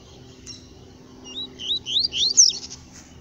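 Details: Wild yellow-bellied seedeater in scrub, delivering a short phrase of sweet slurred whistles, several rising notes building quickly to a louder, higher, sharp flourish before stopping, with a faint steady low hum beneath.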